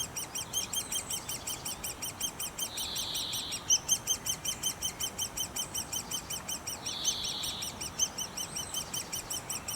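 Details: Rapid, high-pitched squeaking from a great spotted woodpecker nest, repeated in a steady pulsing rhythm, interrupted twice by brief soft buzzy sounds.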